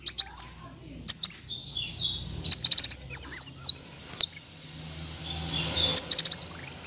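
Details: Sunbird song in chattering and rolling styles for tutoring other birds: scattered high chips and wavering twitters, softer in places, with short sharp clicks between phrases.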